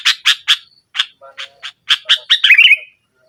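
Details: Kutilang (sooty-headed bulbul) singing hard in nggaruda style to lure a silent bird. Brisk harsh chips, a few fainter lower notes, then a climax of quickening notes that melts into a bubbly warble.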